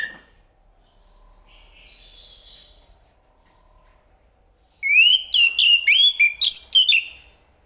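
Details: Chestnut-capped thrush: after a few seconds of near silence with a faint rustle, a rich, fast song bursts out. About eight clear, slurred whistles wander up and down in pitch over nearly three seconds.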